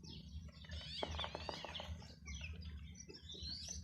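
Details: Small chicks with a hen peeping: bright, descending chirps coming in quick bunches alongside sharp clicks, with a faint low hum throughout.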